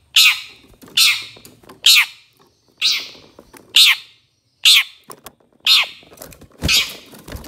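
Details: Long-tailed shrike, called cendet, from a master recording used to train songbirds: harsh, buzzy downward notes given about once a second, eight in a row, with faint low rumbling behind.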